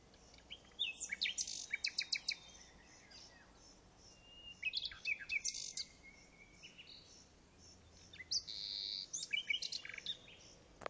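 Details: Unidentified songbird in a special protection area for birds (ZEPA) at Pelayos de la Presa, Spain, singing high, bright phrases of quick chips and buzzy trills every few seconds over a quiet, faintly noisy background.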